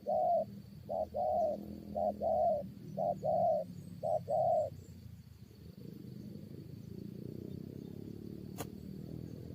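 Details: Spotted dove decoy fighting wild birds, uttering four quick pairs of hoarse coos, each a short note then a longer one, before falling silent into steady low background noise and a single click.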